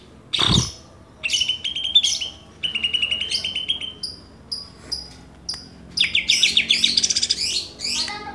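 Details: Greater green leafbirds from Banyuwangi and Kalimantan, compared for song content: a sharp snap, then repeated phrases of fast chattering trills building into a dense, busy warble.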